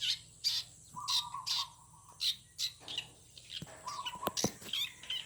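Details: Birds singing in a garden in the morning: sharp, high chirps come in quick bursts about twice a second, over a lower, wavering warbled phrase that repeats twice. A few clicks sound near the end.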